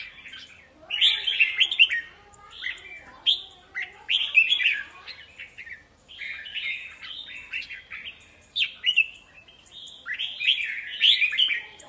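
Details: Caged red-whiskered bulbuls, three birds set up together to compete in song, deliver bursts of bright warbled phrases, each a quick tumbling run of chirped notes, separated by short pauses and repeated roughly every one to two seconds.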